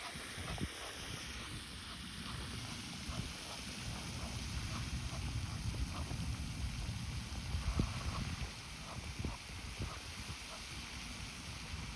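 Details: Steady wind and water rumble with scattered faint clicks, and no clear animal calls.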